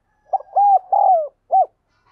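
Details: Hurried luring call of a decoy spotted dove: one full phrase of soft hollow coos, a brief lead note, two sustained notes with the second sliding down, and a separate closing coo.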